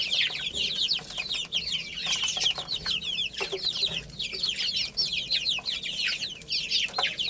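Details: Chicken chicks playing and eating; a dense, continuous chorus of shrill, high peeps from many chicks, each a short downward-sliding chirp, overlapping throughout with no pauses, plus faint soft tapping and rustling underneath.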